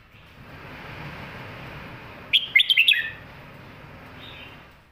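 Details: Fast, well-delivered red-whiskered bulbul song for young birds: one compact burst of about five quick lilting whistles in the middle, surrounded by steady hissing background noise and a faint trailing note.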